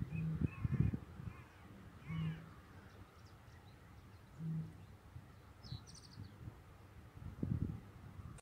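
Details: Rare Eurasian bittern booming from reedbeds during the dawn chorus at Newport Wetlands National Nature Reserve; deep, low hollow booms repeat every two to three seconds, with fainter higher bird calls in the background.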